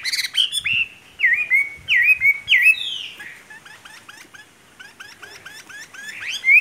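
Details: Caged wild-caught Chinese hwamei singing: a run of loud, clear whistled notes that swoop down and then up, repeated in quick succession, followed by softer, fainter slurred phrases and a final rising whistle.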